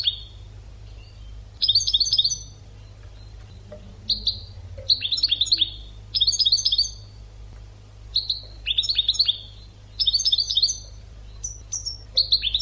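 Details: Educational European goldfinch song for training birds: repeated twittering bursts of rapid tinkling notes, each lasting about a second and followed by short breaks, with occasional single whistles.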